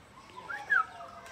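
A Brahminy kite gives a brief, thin, mewing note that slurs downward, preceded by a fainter shorter note, over soft background noise.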